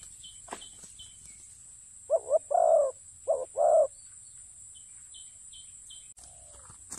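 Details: Spotted dove calling during ground decoy luring: four low, hollow coos around two to four seconds, arranged as two paired phrases, with soft high chirps from other birds before and after.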